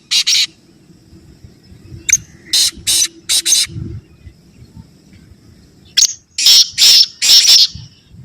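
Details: Black francolin calling in phrases of harsh, grating, high-pitched bursts, first a single note, then three quick notes, then after a pause a rapid run of four or five, over faint low rumbling background noise.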